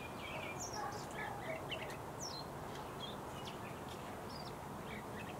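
A Bluethroat sings a varied run of short, high chirps, buzzy slurs and ticks, about two notes a second, over a steady hiss of background noise.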